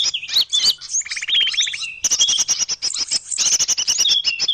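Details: Lure sound for small birds. High twittering opens the recording, and a buzzy rattling trill follows. It ends in a dense stream of rapid, sharp chirps from several birds.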